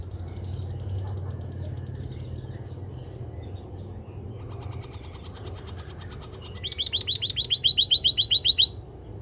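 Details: Scaly-breasted munia after sunning, heard as a faint stretch of soft ticking notes, then a loud fast series of about fifteen high, slurred, downward-sweeping whistles near the end, each closely repeated.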